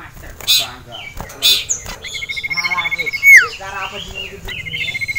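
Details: Caged male sirtu, agitated by a rival and a female, sings rapid buzzy pulsed trills that end in a sharp descending whistle, with harsh chattering notes around them.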